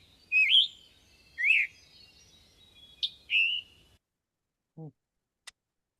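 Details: Scarlet Tanager giving four hoarse, burry, robin-like phrases as if with a sore throat, about a second apart, one starting with the diagnostic sharp 'chick-burr' chip; a brief throat-clear follows.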